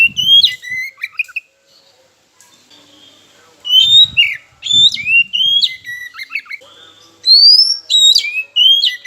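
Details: Oriental magpie-robin song used as a lure to provoke silent birds and rivals into singing: loud, clear whistled phrases with sharp upward and downward sweeps, delivered in bursts separated by short pauses, with faint low rustling between phrases.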